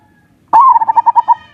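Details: Single zebra dove phrase of the ngerot and kuwor lure type, for stimulating mating and lazy birds to sing: a sudden bright onset sliding into about eight rhythmic, throbbing coo pulses.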